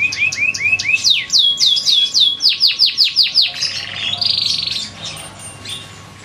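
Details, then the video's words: Kenari Darah Biru canary song: a run of about fifteen loud descending whistled sweeps, a few each second, flowing into a sustained rolling trill that fades toward the end. "Kenari Darah Biru"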